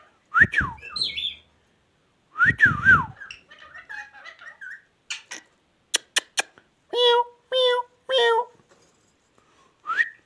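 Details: Ringneck parakeet mimicking speech in two rising-falling voiced phrases, then soft mutters, three sharp clicks, three harsh nasal squawks and a last short rising syllable.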